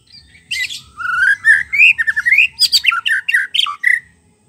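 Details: Forest-sourced white-rumped shama song used as a lure for shamas that have stopped singing: a loud, rapid run of rich whistled, warbled and harsher notes, rising and falling phrases repeated in quick succession.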